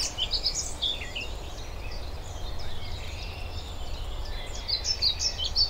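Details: European pied flycatcher singing short phrases of high, sweet, rapidly repeated notes at the start and end, with other faint bird calls and a steady low rumble of background noise.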